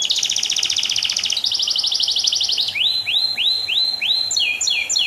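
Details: Canary song: a fast high trill of rapid repeated notes, a second dry trill, then a series of upward-sweeping whistled notes repeated about every third of a second, ending in quick paired chirps.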